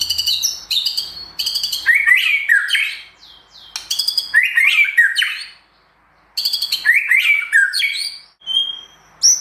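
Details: White-rumped shama in a simulated contest, singing a song full of mimicked phrases: bursts of rich, twisting whistles mixed with sharp clicks and chatters, each phrase a couple of seconds long, separated by short pauses.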